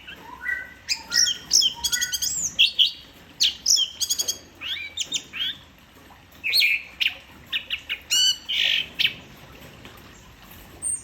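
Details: Orange-headed thrush delivering a dense, varied song in "teler" style, fast mimicking phrases of buzzy trills, whistled slurs and chattering notes repeated in quick bursts for about eleven seconds.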